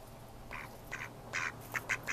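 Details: Close Mallard quacking from May 2014: six loud, raspy quacks in about two seconds, the later ones shorter and quicker.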